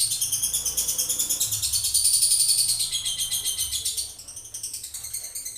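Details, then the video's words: Male lovebird performing a long ngekek trill: a fast, steady chatter of high, buzzy pulses, about eight per second, held unbroken for the whole stretch and fading slightly toward the end. "lovebird jantan ngekek durasi"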